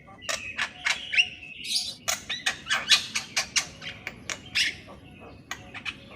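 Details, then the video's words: Javan myna song recorded in the morning as training material for silent mynas: rapid irregular clicks and rattling chatter, with a few short whistled slurs and a brief buzzy note mixed in. "MASTERAN BURUNG JALAK KEBO DI PAGI HARI"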